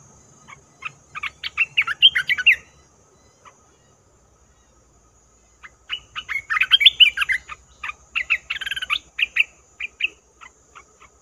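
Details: Red-whiskered bulbul used as a trapping lure, giving two bursts of rapid chattering, warbled notes separated by a few seconds of quiet, each burst a dense jumble of short chirps.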